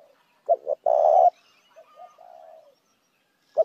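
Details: A single spotted dove phrase used as a lure: two short notes, then a long purring coo, then a run of soft, quieter descending coos; a clipped note begins again at the end.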